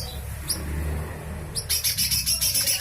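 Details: Rough besetan song of a lesser green leafbird, recorded as filler for training other songbirds; two thin high notes, then a fast run of harsh, evenly spaced chirps over a low background hum.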